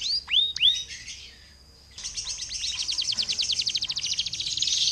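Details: Canary lure song, used to trigger other canaries to sing: a few loud upward-sweeping whistles, a short pause, then a long rapid high trill of repeated notes that speeds up and grows louder.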